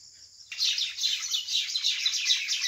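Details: Common mynas squabbling over a date palm hollow or nest site in a rural area, 6 May 2021 at 6 pm; after half a second of quiet, a dense, harsh, scratchy chatter of overlapping high notes runs on without a break.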